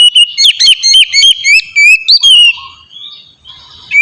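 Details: Oriental magpie-robin (kacer) singing in the melodious 'ngeplong' style, used as a lure to get other magpie-robins singing quickly: rapid loud whistled notes and slurred rising and falling phrases in quick bursts, fading into softer, quieter trailing notes at the end.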